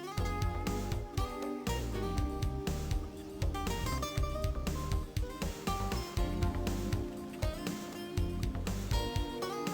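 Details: Strummed acoustic guitar music plays throughout, with chords changing in a steady rhythm and no animal voices.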